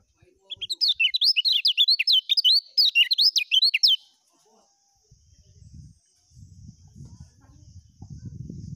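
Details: Lemon-bellied white-eye (Zosterops chloris), song.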